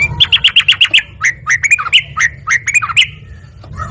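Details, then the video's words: Lively yellow-vented bulbul song given in quick reply: six rapid, evenly repeated chirps open, followed by varied bubbly, slurred notes and a soft closing call over low rumble. "OCEHAN BURUNG TRUCUKAN GACOR LANGSUNG NYAUT"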